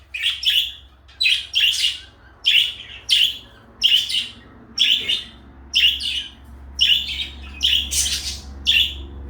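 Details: Two pet parakeets, blue and light yellow, give short bright chirps, often doubled, repeated at a fairly even pace of roughly one pair every second, over a faint low hum.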